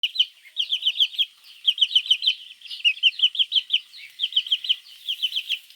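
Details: Baby chicks calling their mother in the morning, recorded as a lure for mongooses: shrill, high peeps in quick runs of three to five, falling slightly in pitch, with short pauses between runs and continuing throughout.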